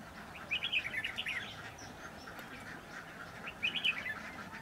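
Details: Red-whiskered bulbul, a trapping context, giving two short bursts of quick, bubbling, warbled notes around a second apart, separated by a stretch of quiet, over a steady background hiss.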